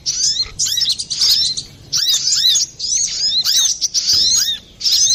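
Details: Lively song of a brown-throated sunbird, used for luring or training birds: quick bursts of very high, thin chirps and sliding notes, repeated about every half second to second with brief gaps.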